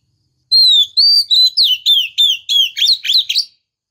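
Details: A female white-rumped shama calls to provoke the male; a long downslurred whistle, then a quick series of looping whistled notes about every third of a second, ending in twisting upward slurs.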